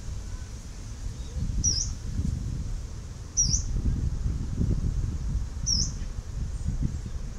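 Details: Yellow-browed warbler (Phylloscopus inornatus), recorded 10 November 2018, giving three high, thin, upslurred 'tsweest' calls about two seconds apart, over a steady low rumble of wind.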